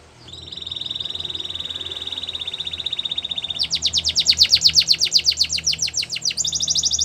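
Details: Russian canary singing a training song: a long, steady high whistled trill held for about three seconds, then a louder, rapid pulsed trill of sharp repeated notes, closing on a brighter buzzy roll.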